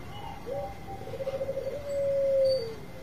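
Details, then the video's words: Zebra dove of the Bangkok type in long-voiced song meant to lure other birds into calling: a soft warbling roll of quick pulses flowing into a single sustained, even coo. "Perkutut Bangkok Suara Panjang Cocok Buat Pancingan"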